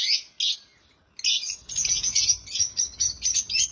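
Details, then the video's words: Happy African lovebirds chirping loudly: bursts of shrill, high chirps, a short pause, then a dense run of rapid, overlapping tweets with a faint low rumble underneath. "Love birds chirping sounds"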